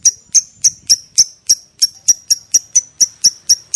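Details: Lovebird ngekek call, used as a lure to make other lovebirds answer with a long ngekek. Sharp, high chattering notes repeat rapidly and evenly, about four per second.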